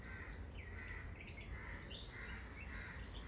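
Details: Bulbuls chirping in a garden: short, clear whistled chirps, some sliding upward and others dropping, follow one another in quick succession over a steady low background rumble.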